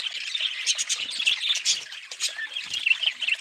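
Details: Short burst of budgerigar flock noise: harsh squawks and scratchy chirps layered over a constant high twittering background.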